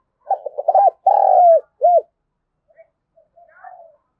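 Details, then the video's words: Spotted dove cooing in a lively phrase meant to rouse a decoy bird: quick stuttered notes, then a long slurred falling coo and a short final coo, followed by faint, soft trailing coos. "cu gay kich boi nhanh noi gù, tieng cu gay kich boi nhanh noi"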